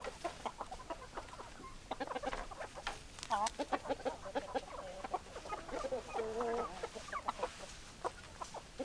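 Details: Hens clucking in a flock, many overlapping short clucks and drawn-out cackles, one longer tonal note near the middle, busy and continuous throughout.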